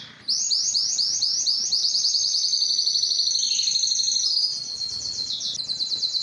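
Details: Timbrado canary delivering a series of quick bouncing upslurred notes that merge into a continuous high metallic roll, then a softer fast trill.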